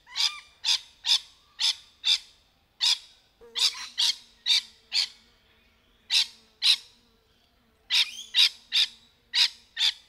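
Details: Rainbow lorikeets playing in trees, a fast run of short harsh screeches, about two a second in uneven bursts, with a soft low hum underneath.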